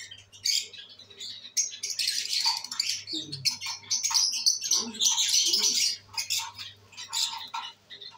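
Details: Pet lovebirds, albino red-eyed, enjoying the day on 5/09/23: a busy, continuous stream of shrill chirps and scratchy squawks, fast and uneven, with a few lower squeaks mid-clip and a faint hum.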